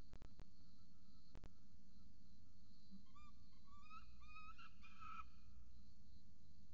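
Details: Peregrine falcons, mother and chick, on a nest camera in Orange, Australia: hum and clicks at first, then a quick run of short rising whining notes climbing in pitch and ending in a harsher burst.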